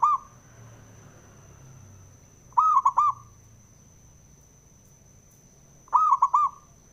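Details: Male zebra dove calling to rouse rival doves: three brief gurgling coo phrases with clipped, broken notes, spaced three to four seconds apart over a faint low hum and a constant high-pitched whine.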